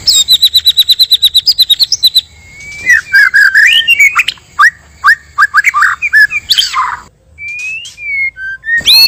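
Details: Male and female white-rumped shamas recorded in the wild as a lure for trapping: a fast high trill of about twenty notes over two seconds gives way to varied rich whistles, chattering bursts and rising slurred phrases.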